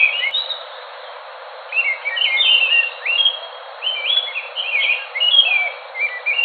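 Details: Enggano thrush of Enggano island, Indonesia: an opening whistle, a pause, then several bursts of sliding, warbled notes separated by short silences.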